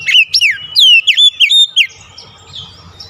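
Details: Rousing song of an Oriental magpie-robin for a stressed, silent kacer: a fast volley of loud, rich whistles, several long downslurred notes and quick sweeps packed into under two seconds, followed by soft trailing notes.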